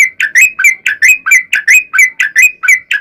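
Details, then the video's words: Sooty-headed bulbul singing a long 'ropel' phrase, a lure to make other bulbuls answer: a regular, rolling series of paired liquid whistles repeating steadily for the whole clip, clean and without background sounds. "trucukan gacor ROPEL PANJANG buat pancingan trucukan agar bunyi"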